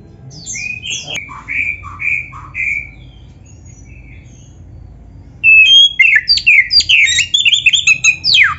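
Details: Oriental magpie-robin training song rich in imitated phrases: a few spaced, slurred whistles at moderate pitch, a quiet pause, then a dense, fast cascade of sharp high chirps and trills.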